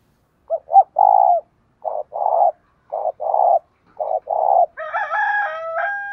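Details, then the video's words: Decoy spotted dove with a 'thổ' voice giving its calling coo with one trailing note to lure wild males. Four low, hollow coo phrases, each a short double note and then a longer note, a second or so apart. A brief, bright harmonic rooster-like sound follows at the end. "Tiếng cu mồi thúc. gáy gọi kích bổi chuẩn / Cu gáy mồi gáy gọi 1 hậu / Chim cu gáy mồi kích trống"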